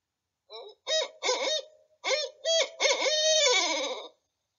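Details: A barred owl gives its rhythmic hooting phrase, rendered 'who cooks for you, who cooks for you all', a series of hoarse, wavering hoots ending in a drawn-out, descending 'you-all'.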